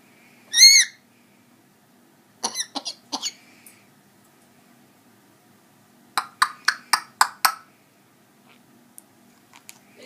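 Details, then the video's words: Pet African grey parrot, about eight months old, copying a man's deep cough; one loud harmonic whistled note, then three short raspy bursts, and later a run of six harsh, evenly spaced cough-like bursts, with a person speaking afterwards. "African grey coughs"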